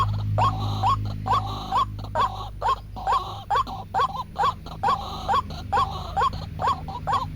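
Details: Repeated waterhen call used to lure birds into traps: rhythmic rising notes paired with level tones, roughly two per second, with a low humming background.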